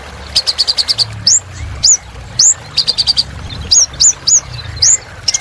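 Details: Purple-throated sunbird in strong song: quick series of rattled notes, then repeated bright upswept whistles, several per second.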